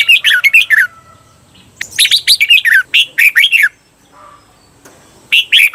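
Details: Thai training recording of a red-whiskered bulbul for the doubled 'berl' song: three dense phrases of quick, rolling, slurred whistles, the middle one long and doubled, with brief pauses between.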